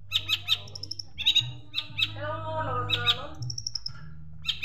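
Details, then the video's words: Long-tailed shrike master song with imitated sparrow notes, used for training birds: clipped chirps, bright high whistles in brief runs and a lower warbling passage in the middle, with a constant low hum underneath. "Masteran Cendet Isian Greja Mewah"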